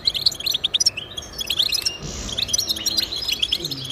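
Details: European goldfinch singing, offered as motivation for pet goldfinches: rapid tinkling chirps and short trills in quick succession, with a faint low hum in the background midway.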